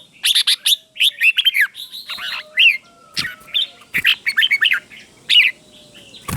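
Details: Red-whiskered bulbul teacher bird, played to stimulate and train caged bulbuls, with clear doubled phrases: short bright warbled notes in quick clusters, separated by brief pauses, and a faint thin whine in the background.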